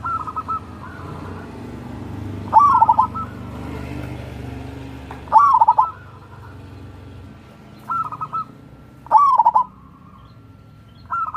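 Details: Zebra dove of a local wild strain singing as a lure for reluctant doves: five rolling cooed phrases, each a quick rising note then a trill of short beats, separated by pauses over steady low rumble.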